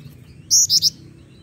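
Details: Lure recording of a female Black-winged Flycatcher-shrike for training: three shrill, piercing high notes delivered rapidly, a longer opening note followed by two shorter ones, with a soft low hum beneath.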